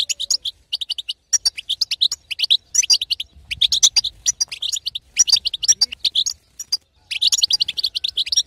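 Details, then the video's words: Female European goldfinch stimulating a silent male with batbata calling; dense bursts of thin, twittering high notes, each burst a second or so, with short gaps. "أقوى بتبته حسون تهيج وتهبل الحسون الساكت"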